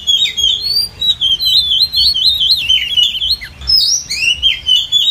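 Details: Oriental magpie-robin female call for luring wild birds into a trap, an unbroken warbling stream of high wavering whistles and quick chirps with a low murmur of background noise.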